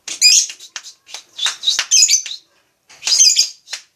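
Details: Lovebird singing with dense, shrill chattering chirps and squeaky notes in quick bursts, a short pause, then another burst of high twittering.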